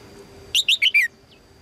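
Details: One short phrase from a female red-whiskered bulbul calling for a strong male: four rapid, rich chirps stepping down in pitch, ending in a drawn-out falling note.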